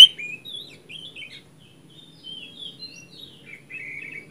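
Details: Oriental magpie-robin song played as a lure to coax a silent bird into singing: soft, varied whistled phrases, some slurred up or down, flowing almost without pause with brief gaps; quiet and somewhat distant against a faint low hum.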